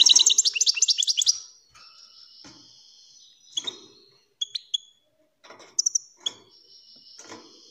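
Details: A European greenfinch opens with a rapid trill, then gives a thin sustained tone and scattered sharp chirps separated by gaps. The song is used to prompt other birds to sing and mate.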